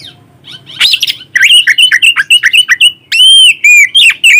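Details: White-rumped shama lure song recorded on a phone, meant to stir excitement and breeding drive in other shamas; loud, rapid varied phrases of sharp whistles, chips and rising-falling slurred notes repeated several times a second.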